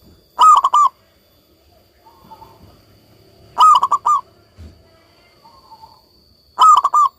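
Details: Zebra dove of local stock, kept in song for bird therapy: loud cooing phrases of about four quick pulses, repeated roughly every three seconds, with faint softer notes between phrases.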